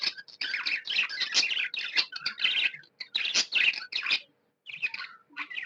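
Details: Cheerful budgie chirping: dense bursts of rapid, buzzy chatter and high squeaks with brief whistles, broken by a short silence before more chirps.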